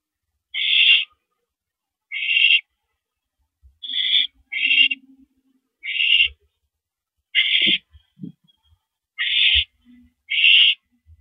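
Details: Owl at a mouse delivery, April 13, 2012, 9:17 PM: a long run of eight harsh hissing shrieks spaced one to two seconds apart, with soft thumps and scuffling between them.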